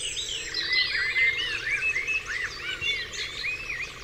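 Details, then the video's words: Dawn chorus on Dewlands Common, with several birds singing at once: looping slurred whistles and quick upswept notes repeated over and over, above a faint continuous buzz and a low background hum. "Dawn Chorus"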